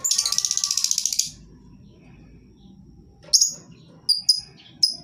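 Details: Lovebird lure song meant to coax lazy birds into calling: a rapid buzzy stuttering chatter of about a second, then silence, then several separate piercing high chirps near the end, over a low background hum.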